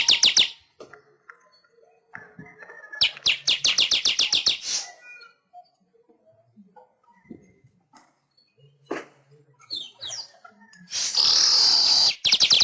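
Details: Weaver song for training pet birds: bursts of fast ticking chatter separated by quieter scratchy notes, ending in a loud, sustained sizzling buzz.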